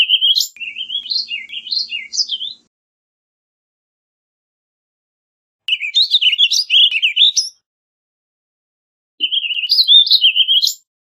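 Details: Warbling vireo, a small songbird of deciduous woods, giving three rapid warbling phrases of roughly two seconds each, separated by longer silences; slurred notes bounce up and down.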